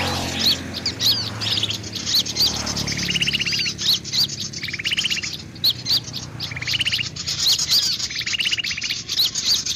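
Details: Sooty-headed bulbul picking a fight, giving short high chirps that repeat irregularly, about every second. Buzzy, rapid chattering bursts recur every two to three seconds over faint low background rumble.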